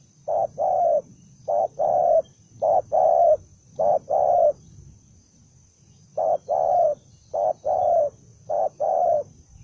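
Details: Single spotted dove, wild-caught and described as belligerent, delivering bursts of low husky coo pairs, short then longer, in two runs separated by a pause of about two seconds, over faint low background rumble.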